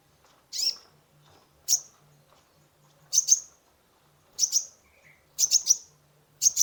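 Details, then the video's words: Kolibri ninja sunbird in full song, used to stimulate a stressed caged bird; loud, piercing high chirps delivered singly, in pairs and in a quick triplet, spaced roughly a second apart, with a faint lower note between. "Terapi pancingan konin gacor full isian mengatasi burung stress !!"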